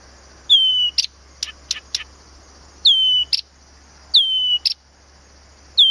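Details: Song of Blyth's reed warbler recorded at Planta in Poland's Podlaskie region: repeated phrases of a pure, falling whistle trailed by crisp ticking notes, a phrase roughly every one and a half seconds over a constant thin high hum.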